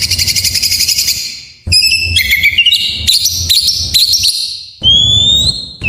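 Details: Oriental magpie-robin, full song used to prompt quiet kept birds into song: a buzzy rapid chatter, then a run of quick rising whistles and trills, ending with a long clear slurred whistle.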